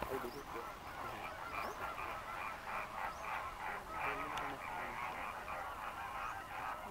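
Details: Greater flamingo flock on Mannar Island lagoons, Sri Lanka, fishing during dry-season migration; pulsing bursts of honking chatter rise and fall in waves every second or so.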